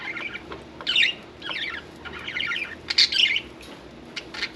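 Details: Quieter budgerigar chatter from pets around a bath, soft scratchy warbles and a few sharper squeaks in short phrases, with low indoor hum.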